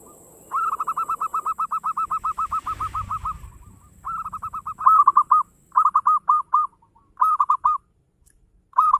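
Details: Zebra dove, local type, giving energetic song to prompt other doves to sing: a long even string of rapid coos, then loud groups of two to five looping notes separated by short pauses.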